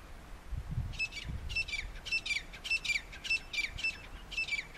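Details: Grey francolins in a territorial fight between two groups give harsh, squawking calls about twice a second, calling for help, with a faint low rumble at the start.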